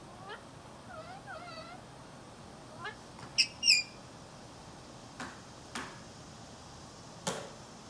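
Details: A female parrot chatters at her own reflection, giving wavering harmonic chirps early on, then two loud sharp squawks, followed by several brief clicks or taps spaced a second or so apart.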